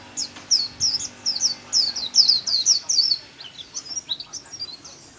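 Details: White-eye in líu-style song training: a softer, slightly distant sequence of high, quick, curling whistled notes that trail off toward the end, over faint background noise.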